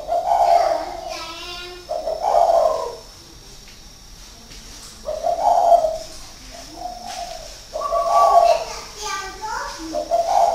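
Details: Spotted dove in a cage, a six-year decoy bird at Ba Vì in northern Vietnam, delivering a series of soft rolling hooted coos in repeated phrases over ten seconds, with occasional faint higher whistles.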